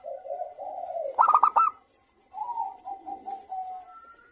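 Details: Zebra dove song as a singing lure, several local birds calling in turn: a low soft coo, a crisp cluster of four or five fast ringing notes, then a pause and a level, drawn-out wavering coo.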